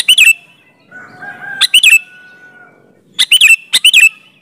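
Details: Sooty-headed bulbul in full song, used as a lure so other bulbuls answer: three bursts of bubbly, fluty notes with sharp clicks, roughly every 1.5 seconds, separated by a long, steady, lower whistled tone.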